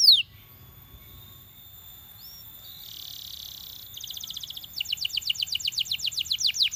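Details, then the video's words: Belgian canary coaxing other canaries to sing; after a quiet gap a soft buzzy tour gives way to rapid trills and sweeping repeated whistles. "Belgian Canary Seducing Friends to Sing!"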